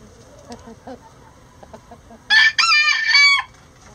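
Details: Domestic rooster crowing before dawn as the flock leaves the coop. Soft scattered clucks come first, then a loud, hoarse, broken crow of about one second, falling at its close.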